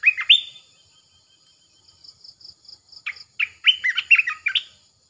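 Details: A caged red-eyed bulbul calling as a decoy: an opening pair of upslurred whistles, a gap filled by cricket pulses, then a fast jumble of warbling, sliding notes.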